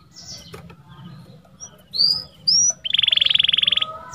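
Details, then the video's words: Canary in a masteran recording for canaries that stopped singing: quiet scattered notes, two rising whistles, then a short fast buzzy trill near the end. "MASTERAN KENARI MACET BUNYI | CANARY SINGING"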